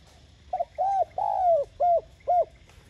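Spotted dove cooing: a short note, then a run of four soft, hollow coos, the third drawn out and falling, in under three seconds.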